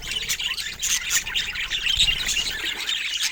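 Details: Rare budgerigars kept indoors give an unbroken stream of high, scratchy warbles and short sharp chirps. The squawking notes overlap throughout, with no people or music in the background.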